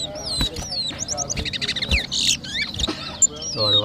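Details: Seed finch known locally as towa towa, competing in a 2023 Berbice, Guyana whistling contest, sings softer sliding whistles and short buzzy phrases, interrupted by knocks, with a low voice at the close.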